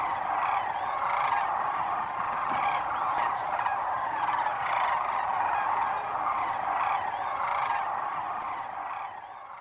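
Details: Large flock of wintering Sandhill cranes at their shallow-water roost in southern Arizona, giving a constant roar of overlapping rattling, bugling calls that swells and fades slightly, easing off toward the end.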